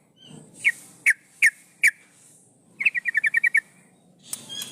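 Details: Breeding-condition female yellow-vented bulbul calling males, used as a lure: four separate sharp notes, then a quick burst of about eight chattering notes.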